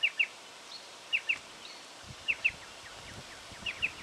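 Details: Striated pardalote in Victoria, Australia, October 2011, giving a sharp, high double note, 'chip-chip', repeated about once a second over a soft background hiss.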